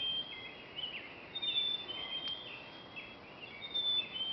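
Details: Birds singing in the pre-dawn with the moon in oak branches: thin, high whistled phrases and short slurred notes from several birds, steady background hiss.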